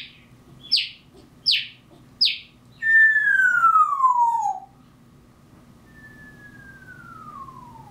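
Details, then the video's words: Captive African grey parrot mimicking mockingbirds: three sharp high chirps in quick succession, then a long loud whistle sliding steadily downward, followed by a softer, fainter descending whistle. "Hannah the African Grey - Dueling Mockers"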